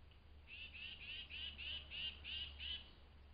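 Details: Tufted titmouse calling excitedly at dawn at a flying squirrel feeding station in a forest; a fast run of about eight harsh, buzzy notes, roughly three per second, with a low steady hum beneath.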